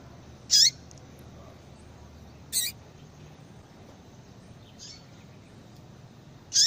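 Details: Female yellow-bellied seedeater calling to excite a male for breeding: loud buzzy high notes roughly every two seconds, one softer note among them, over low steady noise.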